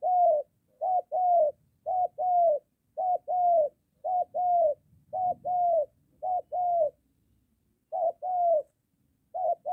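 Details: Continuous run of spotted dove coos near a home, a moulting decoy confronting a wild dove; twelve or so quick pairs of short-then-longer mellow hoots with slightly downturned ends.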